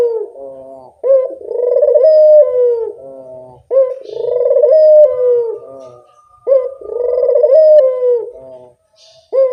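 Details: Barbary dove lure cooing, four low throbbing coo phrases spaced roughly every two and a half seconds, each with a sudden start, a long vibrating middle and a falling end.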